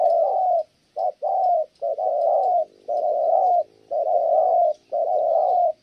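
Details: Spotted dove gives a dense series of mellow, wavering coos, long notes broken by short ones, cooing well until a female interrupts.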